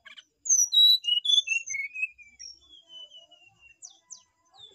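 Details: A loud run of clean whistled notes from a Brown-chested jungle flycatcher, each pitched lower than the last. It is followed by a quieter sequence of level whistles and a few faint high chips.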